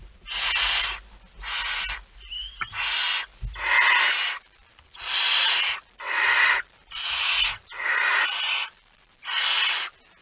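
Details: At 01:49 on 17 September 2019 a barn owl with a mouse makes about ten rasping hiss bursts in a steady series. Knocks and scrapes are heard near the start.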